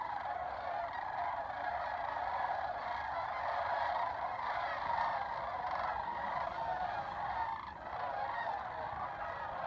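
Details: Spring-migrating sandhill cranes in Albuquerque, New Mexico, calling together in a thick, steady chorus of rolling trumpet-like rattles, with a low background rumble throughout.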